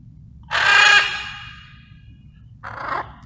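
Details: Wild blue-and-yellow macaws arriving as a flock to relax and bond: one loud, harsh, raspy squawk about half a second long, then a shorter hoarse squawk two seconds later, over a low background rumble.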